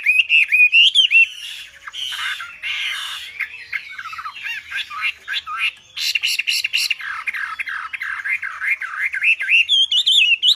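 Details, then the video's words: Wambi bird in full, energetic song: a jumble of squawky, scratchy notes and rolling whistles, ending in a fast stream of looping whistled phrases that climb higher toward the close. "Suara burung WAMBI gacor"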